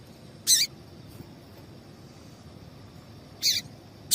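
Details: Female double-collared seedeater piping two short, shrill, high chip notes about three seconds apart, a call meant to get males singing for tournaments, with low steady hiss between.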